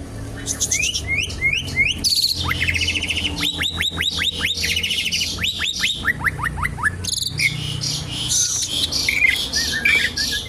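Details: Asian pied starling singing constantly, used as a lure and as song material to teach other birds. A varied, busy song of rising whistled slurs, rapid repeated notes and harsh rattling bursts, with a low background hum.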